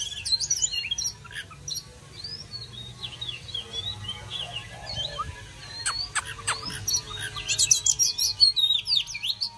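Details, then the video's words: Summer-welcoming song of an oriental magpie-robin: scattered bright whistles and sharp chips, some sliding and some clicking, over a steady low rumbling background. "Chòe than uốn hót đón hè sang"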